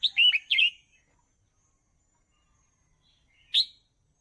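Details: Red-whiskered bulbul song meant for training young birds: a rapid cluster of cheerful, chirpy whistled notes, then a pause and a single sharp rising note.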